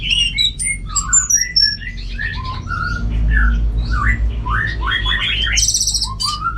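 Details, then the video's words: Caged Orange-headed thrush kept for songbird contests in northern Bali, singing steadily: a rapid medley of short whistled and chattering phrases, some slurred and rising, others sharp and buzzy, varying in pitch throughout, over a low constant hum. "Super Kicauan ANIS MERAH Gacor"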